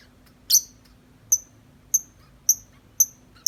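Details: Tame lovebird outside the cage in long 'ngetik' chatter: one harsh buzzy note, then five sharp high ticking chirps at roughly half-second intervals, over a quiet background hum.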